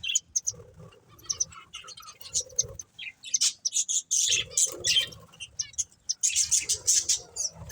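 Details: Budgerigars, a breeding pair, giving scattered high chirps and squeaky chatter in uneven bursts separated by short quiet gaps, with soft low rustling sounds in the background.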